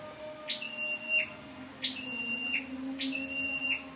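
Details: Scarlet-backed flowerpecker used as a lure bird, recorded 12/10/14: three high notes, each a sharp rising flick into a level whistle that drops off at the end, about 1.3 seconds apart, over a steady low hum.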